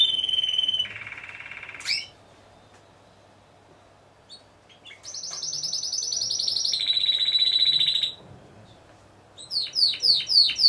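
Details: Competition song of Timbrado Español canaries judged in a four-bird team class, November 2015; a level trill dropping to a lower rattle, a pause, then a bright rolling trill and a run of quick descending notes.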